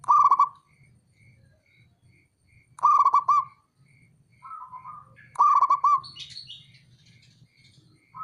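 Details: Male zebra dove of a local strain calling to stir rival doves into answering: three vigorous, rapid, stuttering coo phrases about every two and a half seconds, with softer notes between and faint high piping behind.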